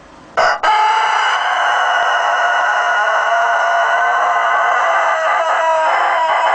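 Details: Cockerel giving one very long, loud, sustained crow lasting about six seconds, rich and harmonic with a steady strained tone, preceded by a brief sharp burst of sound.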